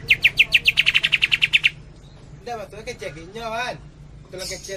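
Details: Greater green leafbird singing in the Cililin tembakan style: a rapid machine-gun run of about fourteen bright high notes within two seconds, followed by lower, wavering warbled phrases.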